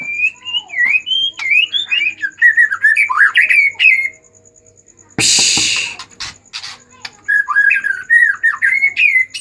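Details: Agitated white-rumped shama song used to goad silent shamas into singing: a long stream of bright, varied whistled notes, cut by a loud noisy burst halfway through, before the warbling resumes.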